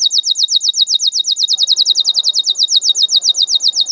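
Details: Canary lure song for young canaries learning to sing, a long full song: a fast, even trill of sharp high chirps, about seven per second, running without a break, with a faint low murmur behind from halfway on.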